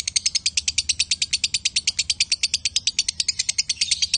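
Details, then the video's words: A male and female lovebird pair giving konslet-type chatter, a rapid even rattle of bright, high ticking chirps with no pauses. "Love Bird Jantan & Betina suaranya Bagussss"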